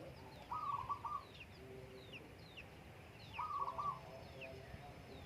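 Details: Zebra dove song heard on a morning on the Menoreh slopes as farmers eat breakfast; two short, fast rolling coo phrases about three seconds apart, while other small birds give quick high chirps throughout.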